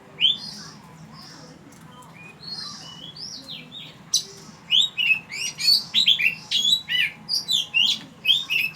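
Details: Oriental magpie-robin at Ban Wat Phra Koet, Phatthalung province, Thailand. Quiet, sparse whistles at first give way to a loud, fast sequence of varied sweet whistled notes, upslurs and downslurs, delivered in quick succession.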